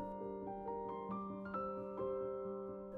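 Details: Gentle electric piano chords ring out one after another, with no animal voices.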